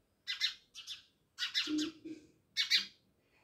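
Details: Many house sparrows living by a village house in Jamnagar give harsh, rapid chirps in clusters, with a brief low hum in the middle.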